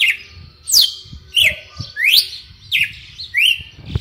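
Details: Red-cowled cardinal (galo de campina), a kept bird, singing the song style called açoite selvagem: loud, clear whistled phrases of sharply rising and falling sweeps, repeated roughly every two-thirds of a second, with faint low rumble beneath.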